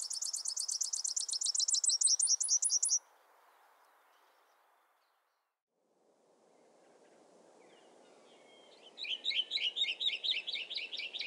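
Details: A grassland yellow-finch (Sicalis luteola) sings two bursts of rapid, high, buzzy trills separated by a pause, over a low steady hiss. The song repeats a short rhythmic pattern that slows in a long rallentando.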